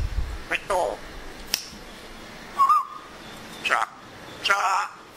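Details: Pet African grey parrot speaking mimicked Urdu or Pashto words in short bursts spaced by pauses, with one brief warbled whistle.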